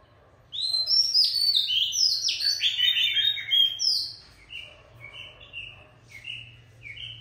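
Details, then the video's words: After a brief silence, an old forest Oriental magpie-robin, called fierce, bursts into a loud tumbling medley of whistles, then settles into quieter short rising notes spaced about a second apart. "Giọng ca choè già rừng đanh đá"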